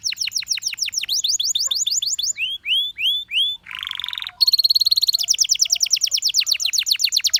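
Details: Belgian canary singing a rapid trill, then slower swooping whistles, a low buzzing roll, and a very fast bright rattle of repeated notes to the end.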